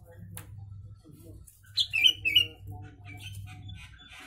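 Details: Sooty-headed bulbul mimicking Javan myna within its song, meant as a master recording for training birds: three or four quick, clear, warbled whistles bunched together, followed by faint scattered notes and a steady low hum.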